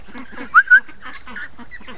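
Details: Free-range ducks awake early in the morning, giving short nasal quacks, with two sharp whistled notes rising out of the flock's chatter.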